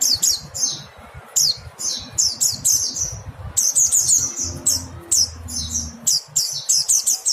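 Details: High, thin, down-slurred calls of a mountain white-eye, used as songbird tutoring material, delivered in rapid clusters and near-continuous runs, with a faint low hum partway through.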